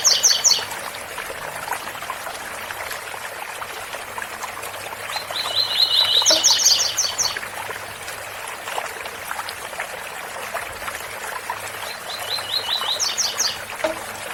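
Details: Waterfall roar under a double-collared seedeater singing tui tui bitola: a short high buzzy opening, a loud phrase of fast repeated notes ending in buzzy chirps, and a softer similar phrase near the end.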